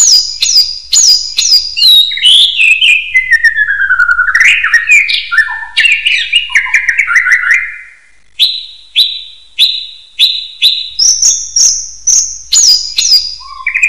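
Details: Common hill myna song meant as a training master for other birds: a cascade of falling whistled notes, then loud clipped whistles repeated about twice a second, ending with high, sliding phrases.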